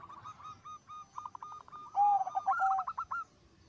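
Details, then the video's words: Zebra dove in full song, its voice said to set other zebra doves singing: soft rolling notes near one pitch, then a loud phrase of a low fluting note with quick purring repeats, other doves cooing faintly behind. "Suara Perkutut Gacor Suara nya bikin Burung Perkutut Lain Ikut BUNYI"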